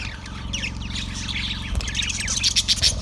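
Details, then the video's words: Continuous chatter from a yellow budgie, recorded February 18, 2024: dense, rapid, high chirps and rolling twitters that grow louder toward the end, over a constant low mechanical hum. "Yellow budgie chirping sound"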